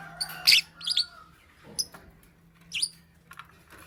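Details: Morning lovebird chirping: a loud bright chirp burst, then a few thinner tweets and a downward-sweeping squeak, spaced about a second apart over a faint steady hum.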